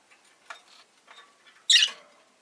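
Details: Rosy-faced lovebird giving one loud, harsh, shrill chirp after a few faint softer sounds, against low background noise.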